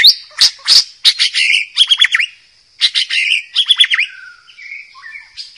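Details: White-rumped shama in the wild, song for training young birds: loud harsh buzzy bursts and quick descending notes over a continuous high whine, in two bouts with a short pause.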